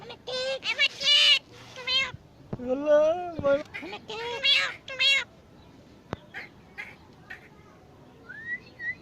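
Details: Jungle myna talking like a person. Several harmonic, speech-like syllables come over about five seconds, then a sharp click, soft scattered notes and a thin rising whistle near the end.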